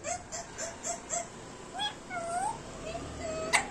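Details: A pet Indian ringneck (rose-ringed parakeet) talks in clipped, nasal syllables: five quick repeated notes, then a longer swooping, rising phrase and a few final short notes, mimicking speech.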